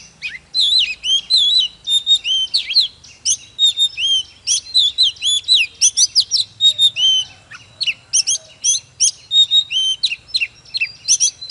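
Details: Oriental magpie-robin singing and displaying in a fiery, intense song used to rouse other magpie-robins: rapid, varied whistled phrases of sweet slurred notes, twisting up and down, delivered in dense bursts almost without pause.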